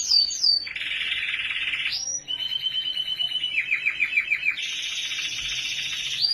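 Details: Canary singing in Norway: a continuous high, rolling song of fast trills and buzzy rattles, shifting between pitch levels with rapid pulsed tours and a few sharp up-sweeping notes, with no pauses throughout.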